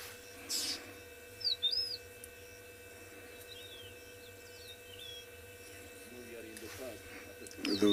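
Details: Yellow-throated Longclaws calling on a morning game drive on 22 October 2020 in a South African reserve as the temperature rises: thin, high whistles swinging up and down, spaced over several seconds, over steady mechanical hum, a man speaking at the end.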